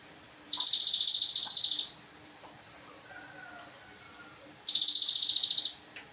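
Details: Javan cochoa song used as a master recording for training songbirds: dense, buzzy high trills about a second and a half long, each of rapid even pulses, separated by roughly three seconds of quiet.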